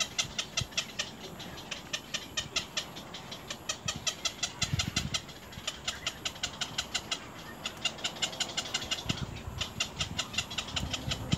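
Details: Little egret chicks at the nest biting the adult: steady series of dry ticking pulses, roughly four a second, over faint low rumble and a couple of dull thuds.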